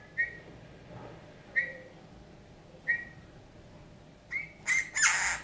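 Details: Eurasian bullfinch, a rescued wild bird found injured and frozen in a snowdrift in January 2019 and now kept, performing learned folk tunes: soft piping whistles repeated roughly every 1.4 seconds, then louder noisy bursts.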